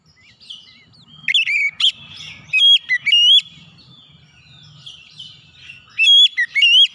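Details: Oriental magpie-robin crying out in a call. Bursts of sharp whistled notes and rising slides come in two groups separated by a pause with softer chattering, all high and piercing.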